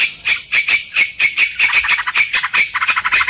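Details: Sooty-headed bulbul song used as a trapping lure: a rapid series of short bright chirpy notes, about fifteen in three seconds, steady and slightly uneven in spacing.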